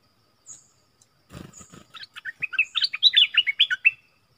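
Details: A Streak-eared Bulbul, recorded 25 January 2021, gives a quick, bubbly run of about a dozen short, slurred notes over two seconds; thin high whistles and a brief rustle are also heard.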